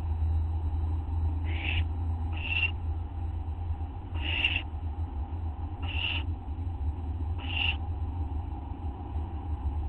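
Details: Owls calling late at night on August 24, 2011, at 11:04 PM, a group growing bolder: five harsh, hissing screeches, each under half a second, spaced one to two seconds apart over a steady low hum.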